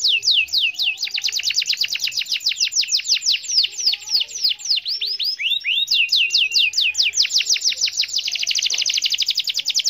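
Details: Canary song used to lure silent canaries into singing: long runs of quick, sweeping whistled notes, repeated several per second, with rolling trills and brief changes of pace.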